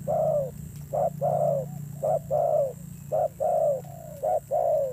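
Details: Fierce-voiced decoy spotted dove. The coos come in paired phrases: a short note, then a longer one that falls slightly at the end. The phrases repeat about once a second over a low hum.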